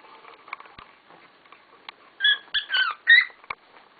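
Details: Pet cockatiels, several birds, kicking up a storm indoors: a few short harmonic chirps and squawks in a loose burst after quiet rustling and clicks.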